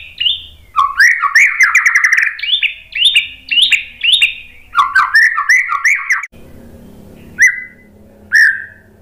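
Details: White-rumped shama song as a lure meant to draw an answer. Quick warbled, rising and falling whistled phrases with dense clicks, then a noisy pause and two isolated clear whistles.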